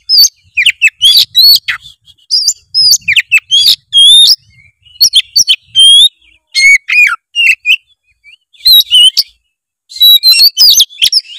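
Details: Oriental magpie-robin in full song, used as a lure to make a lazy bird start singing: loud, varied phrases of sharp whistles, rising and falling slurred notes and rapid chirps in bursts separated by short pauses.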